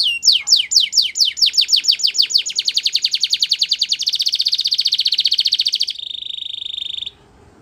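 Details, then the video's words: Belgian canary singing as training song: descending slurred notes speeding into a dense rapid trill, ending in a steady sustained buzzy tone before stopping. "Belgian Canary Singing Makes Your Canary Sing All The Time!!"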